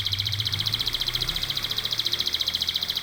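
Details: Canary song used to tutor contest songbirds, a long unbroken high rolling trill of rapid evenly pulsed notes, about a dozen per second, with a faint low hum underneath.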